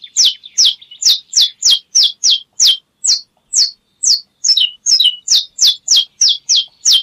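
A domestic canary gives a fast run of sharp, high, downslurred chips, about three a second, with short pauses between phrases.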